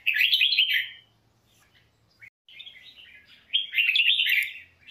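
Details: Red-whiskered bulbul singing as voice training: a short rich warble, a second-long pause, then a longer tumbling, twittering phrase that swells and fades.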